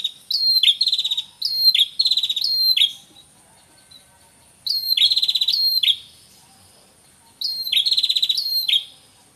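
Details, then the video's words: Male and female red-headed prinias calling together, used as a lure: bursts of rapid, high, buzzy chattering notes, each one to two seconds long, repeated after brief pauses over a quiet background. "Suara Pikat Prenjak Kepala Merah Jantan Dan Betina"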